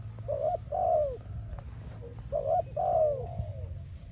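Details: A spotted dove, recorded for dove training and attraction, gives two pairs of soft, slightly downslurred coos separated by a short pause, against a low steady hum.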